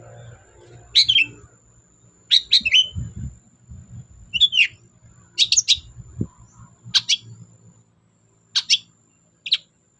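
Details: Energetic long-tailed shrike song played as a lure for birds that will not sing: scattered high, scratchy chirps and short downslurred phrases spaced a second or so apart, with low thumps and murmuring background noise.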